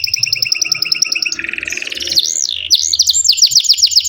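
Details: Canary in a long tutor song used to teach and prompt other canaries: steady rapid pulsed trill, a buzzy roll, then a swooping whistle and fast repeated sliding notes.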